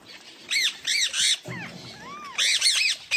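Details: A parrot gives its own natural call rather than copied voices: bright, rasping chirps in quick bursts of three or four, with a single longer, lower whistled note rising then falling between them.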